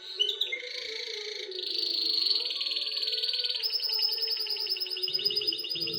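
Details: Canary song used to prepare a female canary for mating: long, fast, buzzy rolls held high, changing to a new rapid trill partway, with a steady low hum underneath.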